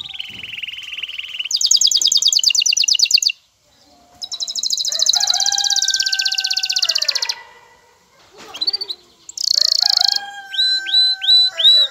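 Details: Excited male canary courting a female toward mating, singing a varied song: a low buzzy trill, a bright fast rattle, a long ringing trill over a steady lower whistle, pauses, then upslurred whistled notes repeated at the end.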